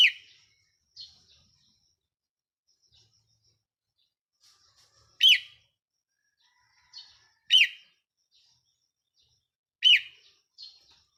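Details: Red-whiskered bulbul used as a decoy bird, recorded 4 May 2023: short bright warbled phrases, each opening with a sharp high note, repeated roughly every two to three seconds over quiet background with faint softer notes between.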